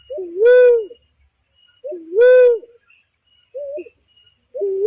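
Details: Lure call of a barred cuckoo-dove for trapping birds: two full two-part coos about two seconds apart, each a soft rising lead note sliding into a strong booming 'wooo', then quieter short notes.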